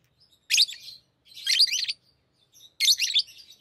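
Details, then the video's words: Tame pet lovebirds playing with rings, chattering in harsh, squeaky high-pitched bursts, three busy phrases about a second apart, with a quiet indoor background. "Love birds Talking | Singing Sounds"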